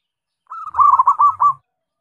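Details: Rondosemoyo zebra dove, yellow eyelids noted, delivering one brief phrase of about six fast, throaty cooing notes with faint low thumps underneath.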